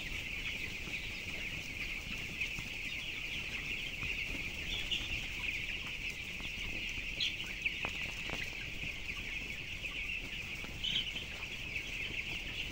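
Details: Flock of 7,000 broiler chickens aged 12 days, 423 grams each, kept in a closed-house shed; constant high-pitched cheeping blends into one continuous wash, a few brief louder peeps near the end, low mechanical hum underneath.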